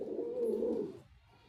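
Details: A single drawn-out, deep coo lasting about a second from a male white pigeon, fading into quiet background hum.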